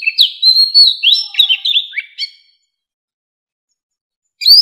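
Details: An Oriental magpie-robin, described as an old wild bird, sings a rapid run of sweet whistles, slurred notes and harsh chips for about two and a half seconds, then resumes after a pause.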